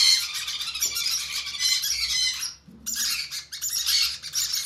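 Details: Conure chicks being hand fed give harsh, hissing, buzzy begging squawks, continuous then cut by a short pause, resuming in rough pulsed bursts; a faint low hum persists.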